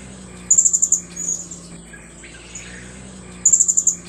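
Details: Blue-crowned hanging parrot gives two quick bursts of six or seven very high, shrill ticking notes about three seconds apart over a faint hum. Recorded near mangroves during bird trapping, and the call is described as a chasing-off call.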